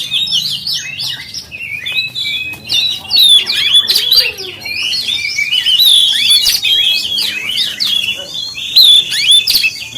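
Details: Oriental magpie-robin pouring out a long, varied lure song to provoke other magpie-robins: quick chirps, whistled slides and sharp clicks in an almost unbroken stream, loud throughout.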